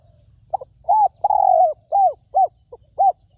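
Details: Full cooing phrase from a wild spotted dove at a ground decoy, its voice noted as very resonant: a clipped start, an arched coo, a lengthy falling coo, then four shorter rounded coos, one of them faint.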